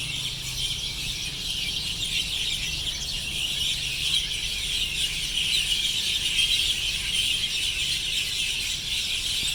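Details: Sparrows returning to their roost in the evening in Vietnam chirp together in a dense, steady chorus: countless high, overlapping twitters blend into a continuous bright chatter with no pauses.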